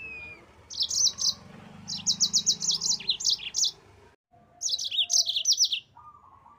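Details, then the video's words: Yellow-fronted canary song, gacor ngerol master track for training cage birds: three bursts of quick high chirping notes separated by brief pauses, the last dropping in pitch, over a soft low hum. "MASTERAN BURUNG MOZAMBIK GACOR NGEROL"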